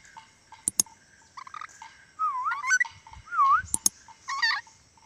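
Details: Tame pet ornate lorikeet, a Sulawesi parrot that can also talk, giving whistled sweeping notes that loop up and down, with a few short chirps and sharp clicking sounds between them.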